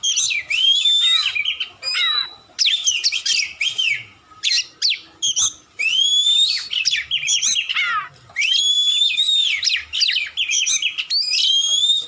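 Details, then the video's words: Oriental magpie-robin (kacer) in long, energetic song recorded as a tutor track for other caged songbirds: continuous rich mix of whistles, rapid trills, downward sweeps and buzzy notes with only brief pauses. "Masteran burung Kacer/Klacer gacor dor nembak durasi panjang"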